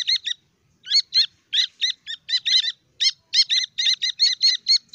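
Grey francolin chicks give high, thin peeps in quick pairs and triplets, repeated steadily with short pauses, against a quiet background.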